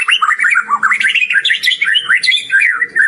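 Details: White-rumped shama in vigorous song with a rich repertoire: continuous rapid warbling of varied whistled notes that jump up and down without pause, loud and clear throughout.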